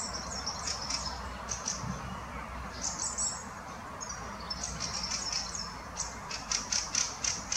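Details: Adult and juvenile fieldfares at the Munich Botanical Garden give thin, high squeaky notes in quick, uneven bursts of about four a second, with a few short harsh ticks, over a low outdoor rumble.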